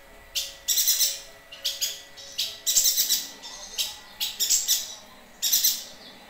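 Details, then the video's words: Actively calling yuhina used as a training model for songbirds: quick bunches of two to four rough, very high chirps repeated throughout, with brief gaps between groups. "Burung Yuhina Gacor Untuk Masteran"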